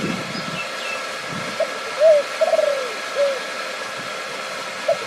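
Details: Zebra dove in Thailand during a dove-luring session with a decoy cage, a new bird scoring its first point: a few soft, mellow cooing notes, one a quick stuttering trill, spaced out over a steady background hum.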